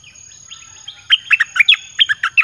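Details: Song of a caged red-whiskered bulbul used as a lure for wild birds: soft slurred notes lead into a fast string of loud, crisp chirps rising and falling in pitch.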